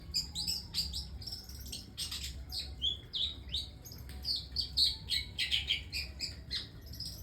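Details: Long-tailed shrike singing unusual song material: fast, varied high chirps, short whistles and rough notes, several each second, bunched into dense bursts over a steady low background rumble.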